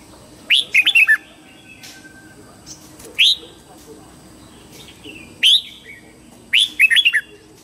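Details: Red-whiskered bulbul singing its morning song for training young birds: rapid whistled, bubbly phrases of four or five notes alternating with single loud rising notes, a few seconds apart.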